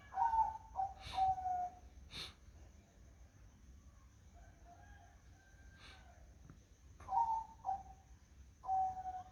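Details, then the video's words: Zebra dove singing on a foggy morning: soft tonal coos near one pitch, grouped in short bursts of two or three notes at the start and again after a long quiet gap, with faint higher chirps from other birds. "Suara Burung Perkutut di Pagi Hari Berkabut"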